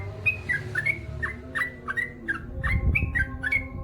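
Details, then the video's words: Gacor singing of a male trucukan, the Yellow-vented Bulbul, with long ropel runs: short clear whistled notes, some slurred up and some down, come in quick succession above a rumbling low background noise. "SUARA trucukan gacor ropel panjang"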